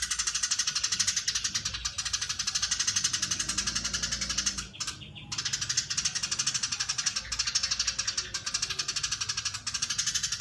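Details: Eurasian tree sparrow in long, tightly packed chattering at full speed, harsh scratchy notes pouring out almost without pause, with one short silence partway through.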